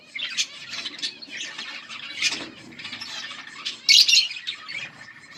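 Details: Pet budgerigar pair in noisy, dense chatter: a steady scratchy warble of overlapping chirps, with one sudden loud, harsh squawk near the end.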